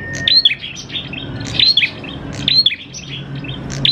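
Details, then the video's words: Energetic prinia song used as a lure for prinias: four crisp phrases of high, tinkling chirps led by a bright upslurred whistle, repeating roughly once a second with faint hum behind. "PANCINGAN PRENJAK KLAWU GACOR, NGALUN BIKIN PRENJAK CEPAT BUNYI"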